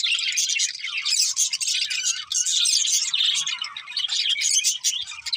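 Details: Several pet budgerigars singing happily while eating: a dense, continuous chatter of rapid chirps, clicks and squeaky warbles, unbroken for the whole stretch, with no other sounds standing out.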